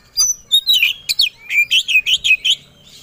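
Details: Oriental magpie-robin singing to provoke others to become agitated and fight: a rapid series of about a dozen bright, warbling, swooping whistled notes, steady and evenly paced.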